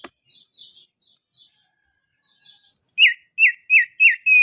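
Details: Faint high twittering gives way to a crested darkeye in its long rolling ngerol song: four loud, evenly spaced downslurred whistles, then a sustained clear whistle.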